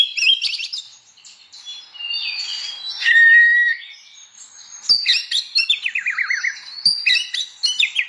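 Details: Varied morning ngeplong song of an Oriental magpie-robin, aimed at rousing other magpie-robins to sing; bright whistled phrases, a long steady whistle, sharp clicks and a fast descending zigzag trill in lively succession.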